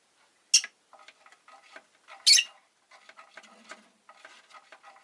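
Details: Pet rosy-faced lovebird giving two sharp, piercing chirps about two seconds apart, with soft scratching, tapping and rustling between them.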